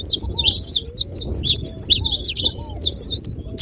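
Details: Several saffron finches give a brief, lively run of high, sharp chirps in rapid bursts. Two soft, lower whistles sound in the background.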